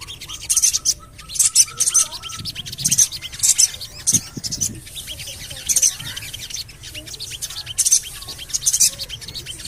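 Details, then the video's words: Javan cochoa call played to get birds singing: rhythmic clusters of shrill high chirps, 'cuit cuit cuit', spaced about a second apart, with faint lower chatter. "CUIT...CUIT...CUIT PANGGILAN SOGON AGAR BUNYI"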